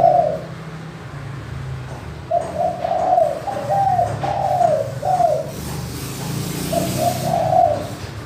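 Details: A spotted dove gives crystal-clear, soft, mellow coos in a short rolling phrase, then repeats it after a pause, over a low steady background hum; a recording used as a lure to prompt quiet spotted doves to call.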